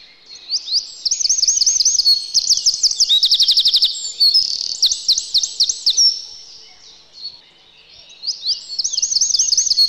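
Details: Wintering Eurasian wren in a yard sings long, energetic high phrases of rapid looping notes broken by a buzzy rattling trill, pausing briefly before another strong rippling burst.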